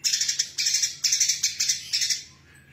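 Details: Female brown-throated sunbird, singing actively, gives quick bursts of very high, rattling chirps in clustered groups, about three short runs over under three seconds, then falls quiet.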